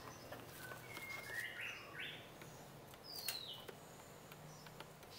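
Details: Caged Oriental magpie-robin (chòe than) making hissing and chirping sounds: a handful of short chirps and clear whistled notes, some rising, others sliding down, over steady background noise.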